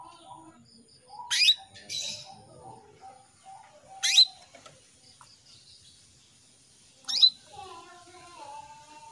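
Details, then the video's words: Female canary calling to a male: three short, sharp rising chip notes spaced about three seconds apart, with faint lower warbling from other birds and a steady high hum in the background. "PANCINGAN KENARI BETINA MEMANGGIL JANTAN"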